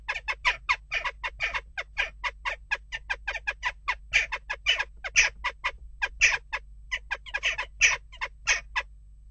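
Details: Unrest at a nest box: western jackdaws giving a long, dense series of harsh, clipped calls, several per second, some louder and more strident, over a faint low hum.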